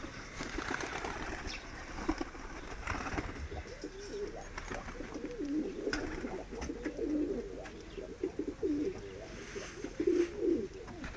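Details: Medium-sized diving tumbler pigeons, several birds, give low, throaty coos that rise and fall in short rolling phrases, repeated through the second half, over steady background hiss and faint shuffling.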